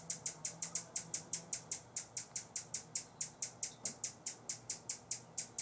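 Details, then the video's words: Buff-bellied hummingbird guarding a feeder in San Benito, Texas, in October, giving a warning call: a rapid run of sharp, high, dry chips, about four per second, steady throughout with little else heard. "Buff-bellied Hummingbird warning call"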